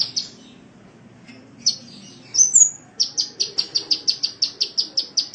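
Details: Sunbird master song for training caged birds: a few scattered high chips and a rising whistle, followed by an even series of sharp, high notes repeated about five times per second.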